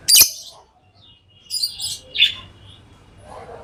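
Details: Pet lovebirds chirping: a loud sharp high chip at the start, then a pause and a few scratchy, buzzy high chirps, with faint low background hum.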